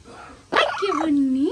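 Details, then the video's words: Parrot, an Amazon, apparently crying because it does not want to be bathed: a harsh burst, then a drawn-out, wavering wail that dips low and rises again at the end, like a child's cry. "Loro llorando porque no quiere bañarse"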